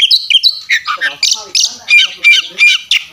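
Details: Oriental magpie-robin (kacer) in fighting-mode song, delivered in a persistent, display style packed with varied fill phrases, used as a tutor recording: loud, high chattering and squawky notes in short bursts, about three per second, with sliding whistles between.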